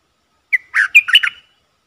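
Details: Luring call of a red-whiskered bulbul kept as a decoy for wild birds: a short, lively phrase of a sharp note and three or four bubbling, whistled syllables, with nothing else heard.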